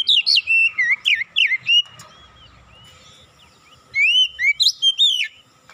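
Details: Lure recording of an oriental magpie-robin mimicking cinereous tit song: a quick run of bright, bouncing whistles, a two-second pause, then a second rapid series of rising and falling whistled notes.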